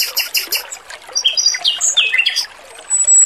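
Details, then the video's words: Male Oriental magpie-robin singing clearly over running water for training: fast harsh repeated notes, then a tumbling sequence of bright whistled phrases and one long thin high whistle at the end. "MASTERAN BURUNG ROBIN JANTAN GACOR, SUARA MERDU DAN JERNIH || SUARA KEMERICIK AIR"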